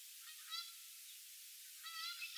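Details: Canada goose with goslings at North Pond, Lincoln Park, Chicago, gives two brief, nasal, thin, high-toned honks about one and a half seconds apart, over a steady background hiss.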